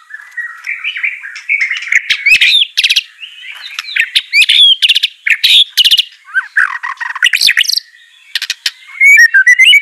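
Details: White-rumped shama song to get a reluctant bird singing: varied warbling and whistles mixed with sharp, clipped notes, a dip into lower slurred tones, then high rising whistles.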